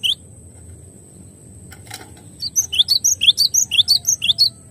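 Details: Cinereous tit (glatik batu), clear tutoring recording: an opening whistle, a knock, then rhythmic high piping phrases of alternating pitch, repeated about twice a second until the end.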